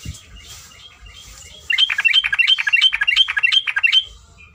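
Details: Long rapid ropelan panjang song of a yellow-vented bulbul, used as tutor recording: a quick run of sharp, repeated warbled notes, roughly three per second, after a quiet start.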